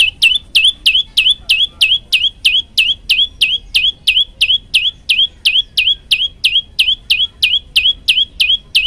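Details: A long, steady series of piercing notes from an olive-backed tailorbird, around twenty-eight in nine seconds. Each note is a quick downward slur that flattens into a high whistle, delivered with a metronome-like rhythm over a quiet background.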